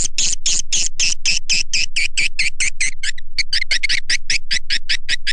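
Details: Swiftlet lure call used to attract swiftlets by swiftlet farmers: a brisk, regular string of high, slightly buzzy chirps, about six per second, with a short gap partway through.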